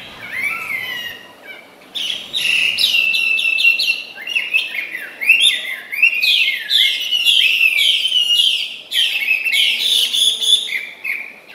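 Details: Tame Chinese hwamei kept in a cage sings loudly as it forages, pouring out a fast, high, energetic stream of varied chirps, trills and upswept notes without pause.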